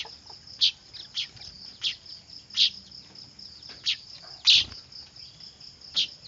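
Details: Weaver (manyar) chicks calling noisily, kept as lure sound: thin, high chirps spaced irregularly, roughly one each second, some louder than others, against a quiet hissy background.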